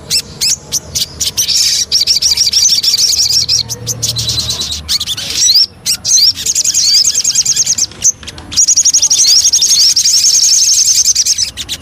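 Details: Lure song of a Javan cochoa, with bursts of high chirps and whistled upslurs alternating with long, fast, even high trills.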